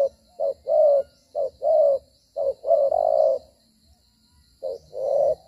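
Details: Spotted dove decoy bird in a trapping session, fighting and moving as it coos: deep husky coo notes, brief clipped ones followed by longer sustained ones, repeated in uneven groups over a faint high background whine.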